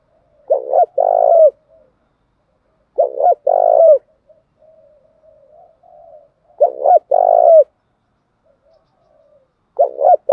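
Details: Spotted dove cooing by male and female, to stimulate trained doves to coo. Low paired stutter notes lead into a sustained coo, repeated four times at about three-second spacing, with faint soft murmurs between phrases.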